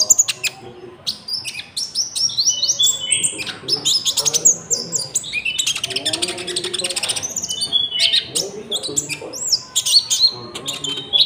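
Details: Common iora (konin) song with cricket-like filling, used as a lure for trapping and for training caged birds; dense, continuous high chirps, trills and sharp whistled slurs pouring out almost without pause over the whole stretch.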